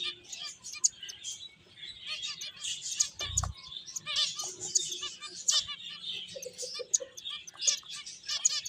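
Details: Finches playing, a steady stream of rapid high chirps and twitters from several birds, with a soft thump partway through.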